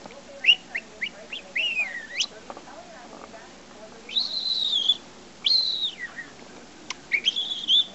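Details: Five-month-old pet parrot that knows 20 to 25 words and several taught whistles runs through short clipped whistles, then long high sustained tones that dip at the end, repeated after pauses, indoors.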